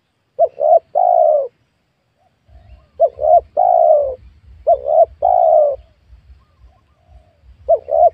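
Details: Spotted dove during wild dove luring in a small oil palm plot: two-note pickups followed by a prolonged soft coo, repeated about four times, the last phrase cut short.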